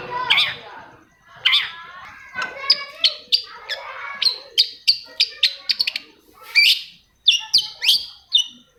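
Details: Long-tailed shrike lure song for stirring other shrikes to sing: rasping upswept notes followed by a fast, irregular sequence of sharp high chips and short whistles, ending with loud scratchy calls.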